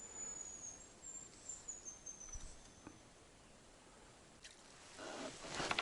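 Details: A hazel grouse in the taiga near a lake, on a day after night frost, gives a very high, thin, drawn-out whistle falling slightly over about three seconds during grayling fishing, followed by rustling and splashing.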